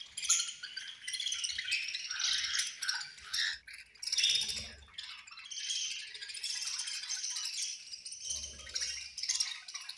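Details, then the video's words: Budgerigars at feeding time keep up a busy, high-pitched chorus of chirps and scratchy warbles, with short gaps and a few soft low thumps scattered through. "Very Melodious Budgies Chirping Sounds"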